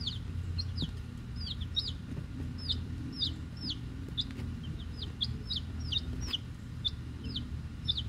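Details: Peeping of a group of week-old chicks, Rhode Island Red and Black Sumatra hens plus one mystery chick: a stream of sharp, high falling cheeps, several overlapping, over constant low-pitched background rumble.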